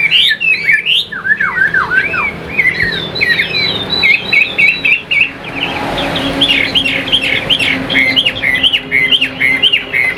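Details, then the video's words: Caged Chinese hwamei, a Vietnamese họa mi kept for sale and praised as a fine singer, delivering rich, rapid whistled phrases of slurred, looping notes, short motifs repeated in quick runs with brief pauses; faint background hum. "Chim Đẹp Hót Hay"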